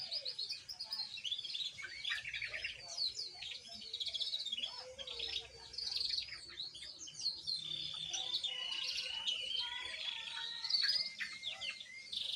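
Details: Juvenile canary practising its song: long, rambling high warble of fast chirps, trills and buzzy twitters, varying in loudness with brief pauses over about twelve seconds.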